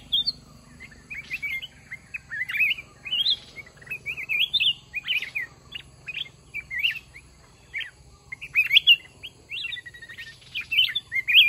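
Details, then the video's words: Mountain red-whiskered bulbul facing a caged decoy during trapping; steady series of sharp, clipped chirps and short slurred whistles repeated throughout, with a faint steady low hum behind. "Chào mào núi bẫy đấu"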